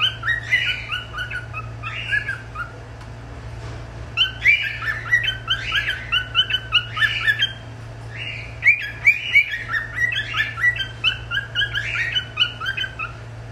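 A cockatiel sings a run of bright whistled and squawky phrases, with short pauses between bursts.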